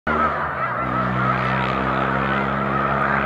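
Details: A large flock of snow geese taking off en masse as a boater approaches, March 2021; a dense wall of goose calls is layered over a steady, low droning engine hum.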